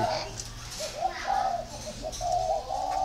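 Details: A spotted dove gives a series of low, hoarse coos, short and long notes mixed, with a person talking quietly in the background.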